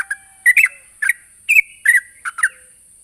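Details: Lively sooty-headed bulbul calling out to a rival, giving clipped, slurred chirps in doubled bursts roughly every half second, each note bending down in pitch, against a constant thin high whine in the background.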